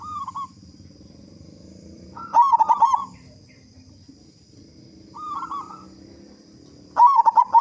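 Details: Active local zebra dove with a strong voice, used as a lure to start other doves singing. Two cycles of a soft brief coo followed by a loud burst of rapid pulsed coos, repeating roughly every four and a half seconds.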